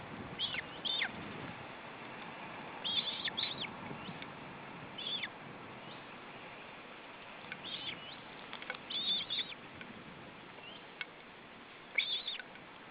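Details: Osprey at the nest in Estonia during a feeding in July: repeated short, high, whistled chirps in scattered clusters across the clip, over steady low hiss and faint clicks.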